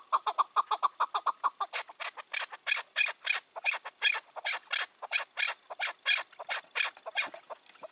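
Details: Wild male chukar partridge, about five or six years old, previously caught and released, calling on the evening of 4 June 2023. Quick clucking notes open, then shift into harsher, higher squawking notes at an uneven pace.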